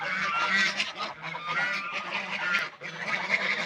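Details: Ducks feeding and drinking water call continuously: harsh, nasal, honk-like notes pile on top of each other above a constant low drone.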